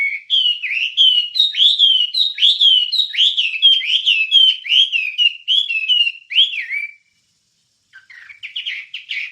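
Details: Wambie master song for songbird training: steady repeated downward-slurred whistled notes, roughly one each second, a brief silence, then quick rising chirps.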